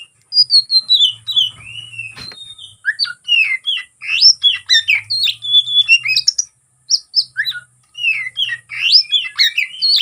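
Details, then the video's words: Oriental magpie-robin in fighting mode, its song used to provoke rivals into anger: a rich, varied run of loud whistled notes, slurred rising and falling phrases and sharp chips, delivered almost without pause, with a brief gap near seven seconds. "burung kacer NGEPLONG tarung KONSLET ful isian ini AMPUH buat PANCINGN lawan ikut konslet"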